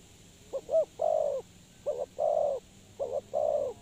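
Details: Spotted dove calling as a trapping lure: three phrases, each two quick soft notes and then an extended warm coo, roughly one phrase per second, faint hiss behind.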